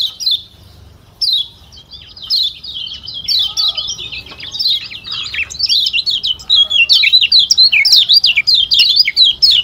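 A Lombok white-eye pours out a fast, high twittering song of sweet chirps and slurred notes, nearly continuous after a few short opening bursts.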